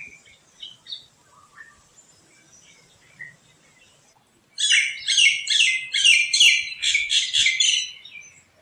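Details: Common myna in forest trees gives a loud run of harsh, chattering notes, about two per second, after faint high chirps and whistles from other birds, with light wind in the leaves.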